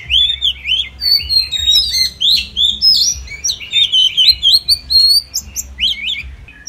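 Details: Oriental magpie-robin (Copsychus saularis) in daily song training, pouring out a continuous, loud medley of bright whistles, quick chirps and looping slurred notes, densely packed with only a few very short gaps.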